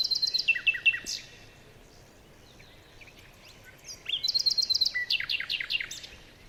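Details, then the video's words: Several birds chirp in a morning forest: a fast run of evenly spaced high notes opens, a pause follows, then a rapid rhythmic series of sharp repeated chirps runs for over two seconds. "Morning birds chirping sounds"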